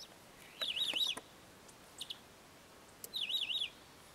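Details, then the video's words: Many-colored Chaco Finch (Saltatricula multicolor) in Sierra de las Quijadas National Park, Argentina, giving two high, wavering, warbled phrases about two and a half seconds apart, with a few sharp ticking notes between them. "Pepitero chicho -Saltatricula Multicolor-"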